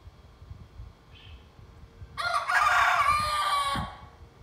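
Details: First crow from a young pet rooster, a single harsh, raspy crow of roughly one and a half seconds that bursts in after a quiet stretch with a faint distant chirp, holds loud and scratchy, then breaks off with a low grunt.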